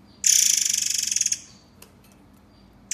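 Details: White-rumped shama in a master recording used to train songbirds, in the dense, harsh tembakan style. A single high, harsh buzzing burst lasts about one second, then a faint click and the start of another burst.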